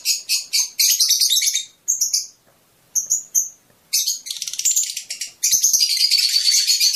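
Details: High, rapid chirps and chattering runs of a Fischer's lovebird singing to encourage mating, with short pauses and a few clipped notes before a long steady twitter.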